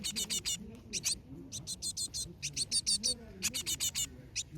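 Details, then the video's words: Cinereous (Asian) tit nestlings beg in fast bursts of high, hissy chirps, several notes at a time in quick clusters, with faint low murmuring beneath. "Cute Baby Birds (Parus Cinereus / Asian Tit 박새)"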